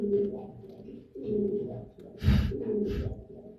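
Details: Fancy pigeon of a prized Saudi Arabian breed, hobby bird kept in Noakhali and said to raise eggs and chicks well, giving deep droning coos in roughly one-second phrases, with a brief rustle or flutter near the end.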